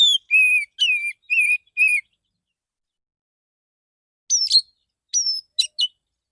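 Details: A male Oriental magpie-robin sings in the morning to call other magpie-robins: a run of five level whistles, a pause of two seconds, then high thin slurred notes and sharp chips.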